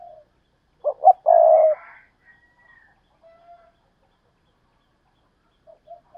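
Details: Spotted dove giving urging and calling coos, including the double coo known as hai hậu; two quick clipped notes lead into one long hoarse coo, then near silence with faint soft coos at the end.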